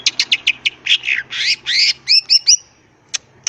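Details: Wild greater green leafbird singing to provoke rivals to answer: a quick series of harsh chips, rasping buzzy notes, then sharp rising whistles and two isolated high clicks, with faint low background hum.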